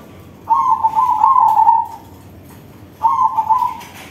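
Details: Crossbred zebra dove with a big voice singing: two bubbling, low cooing phrases, each a quick rolling trill that settles into a drawn-out, slightly falling coo, separated by a short pause.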